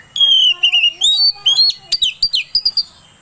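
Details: Lure song of an Oriental magpie-robin meant to provoke another bird to sing: a long clear whistle falling slightly, then quick rising whistled slurs and sharp staccato notes in a fast, varied run.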